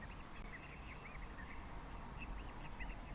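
Double-banded sandgrouse giving a string of short, chirpy whistled notes that rise and fall, several in quick succession, over a steady background hiss and low rumble.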